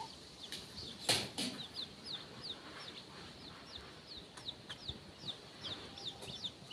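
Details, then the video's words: Free-range baby chickens foraging and feeding near the coop with their mother hen before dusk, giving rapid high downslurred peeps several times a second, with a couple of louder knocks. "Baby chickens playing making noises while feeding"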